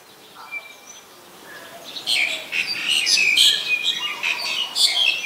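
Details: Black-collared starling recorded in Ubon Ratchathani, Thailand, on 25 December 2019; harsh, scratchy broadband chatter and squeaky notes mixed with thin whistles, building after a quiet start into a dense run of rasping calls.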